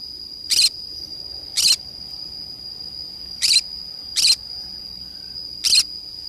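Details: Green-cheeked conure parrot playing alone in a forest: five short, harsh, screechy bursts spaced about a second apart, over a steady high insect-like whine.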